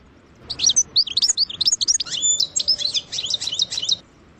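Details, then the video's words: Goldfinch song in the sarsara trilling style, a dense tumbling twitter of high liquid notes with one brief pure whistle in the middle, ending in a rapid rattling series. "اقوى حسون يسرسير بتغريد"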